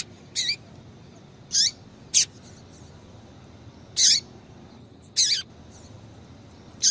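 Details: Female double-collared seedeater call, used to excite males into singing: short high sharp chip notes with a lower downward-curving tail, given singly at irregular intervals of about one to two seconds over quiet background.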